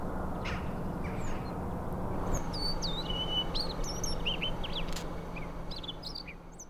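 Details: Siberian rubythroat at Wargön, Sweden, in 2022. It gives scattered high, thin whistled notes and short warbled phrases, varied in pitch, over a constant loud low rumble of background noise.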